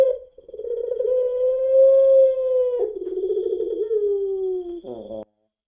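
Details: A long, smooth, humming coo from a puter pelung spotted dove, used as a lure. It swells, holds steady, then slides gently lower with a vibrating patch before a short gritty finish.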